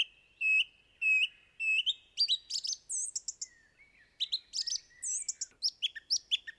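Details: Song thrush (Turdus philomelos) song: a clear whistled phrase sung three times over, then quick, varied chirping and squeaky phrases, some also repeated.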